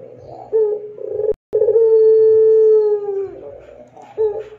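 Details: Barbary dove (puter pelung) used as a tutor recording for other doves: soft, low cooing notes, then one long, smooth, clear drawn-out coo lasting about two seconds, with faint background hum.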